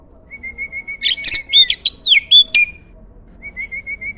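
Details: Starling used as a master song for training competition songbirds: a long steady whistled note, then a burst of loud varied trills, sharp chirps and wavy whistles, ending with short repeated whistled notes.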